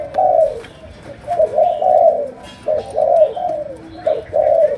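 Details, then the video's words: Malaysian spotted dove singing chiêu gù with a sấm đồng voice: distinct low coo phrases, each swelling then fading, spaced by short silences, roughly four or five groups in under five seconds. "Cu Gáy Malaysia, Chiêu Gù. Sấm Đồng"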